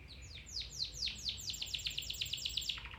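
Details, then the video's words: Domestic canary song meant to train other canaries: a quick run of downward-sweeping chirps repeating rapidly, faint against a background hiss. "Canary Singing 4k Video [Training for your canary]"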